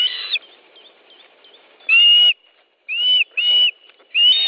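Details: Osprey at a nest in Estonia on 10 July 2013 around 13.20, during a fish delivery: loud clear whistled calls, each a short flat-topped note, given in bursts separated by brief pauses.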